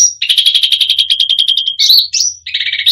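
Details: Cucak rante song filled with varied phrases, meant to stir up other birds: a high whistle, a rapid chattering trill, a rising slurred whistle and a low rattle, all within three seconds.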